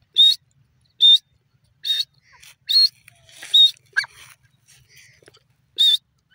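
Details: Grey francolin calling, a loud shrill whistled note repeated roughly once a second, with fainter scratchy calls between the notes.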